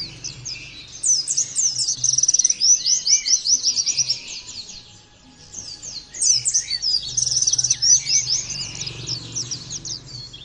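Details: Oriental white-eye delivering 'nembak' style song for other white-eyes to imitate, in two energetic bursts of high, tumbling twitters and trills split by a brief pause, with a low background hum.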